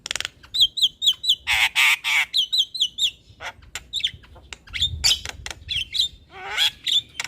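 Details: Javan myna singing gacor, a recording meant to coax a reluctant bird to sing: loud, rapid run of whistled chirps and harsh rasping squawks, with short pauses and repeated phrases throughout.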